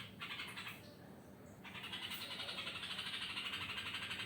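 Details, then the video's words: Yellow-vented bulbul making a strange sound at night. A short burst of scratchy notes, a brief gap, then a long unbroken series of quick rasping pulses, roughly three per second, over a low hum. "burung trucuk malam-malam kesambet mengeluarkan suara aneh"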